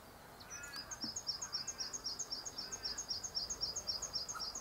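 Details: An Australian Mistletoebird, near a nectar feeder in a native cypress tree visited by honeyeaters, gives a rapid series of very high, thin, sharp notes, about four per second, with a few softer bird notes lower down.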